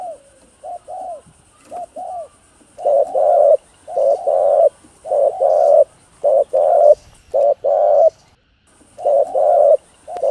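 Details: Spotted dove cooing meant to stimulate other doves. It begins with soft short notes, then gives a steady series of short-long coo pairs, roughly one pair per second. A continuous high electronic whine runs through most of it.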